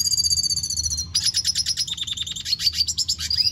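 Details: Red siskin (Spinus cucullatus), song.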